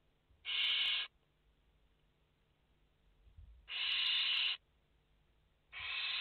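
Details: Nest of five barn owl chicks on 29 August 2021: loud breathy screeching hisses lasting about half a second to a second, three bursts spaced two to three seconds apart, with near silence between them.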